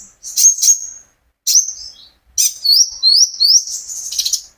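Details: Captive kolibri ninja (olive-backed sunbird), owned and recorded from the owner's own bird, sings as a prompt to get other birds singing: thin, high chattering trills and rapid sweeping whistled phrases in quick bursts with short pauses.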